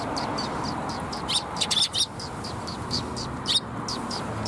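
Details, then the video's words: Group of sparrows being fed from a tree branch at a Tenmangu shrine, April 5, 2021, giving quick clipped chirps in dense bursts, a louder cluster near the middle, under steady hiss-like noise. "木の枝から餌を貰う すずめ達"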